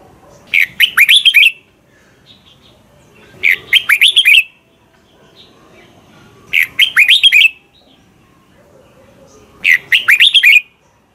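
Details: Caged Thai Red-whiskered bulbul teacher song used for voice training: four quick, bubbly whistled phrases, each of several rising and falling notes, repeated about every three seconds, with a hushed background between them.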